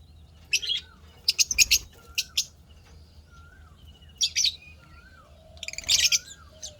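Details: Cheerful pet lovebirds give rapid high chirp bursts interspersed with thin, faint whistled notes from another bird, low hum behind.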